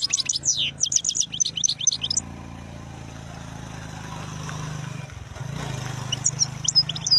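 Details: Wild European goldfinch twittering rapidly in high, sparkling notes for two seconds, then a loud engine drone masks the scene before a few more chirps return near the end.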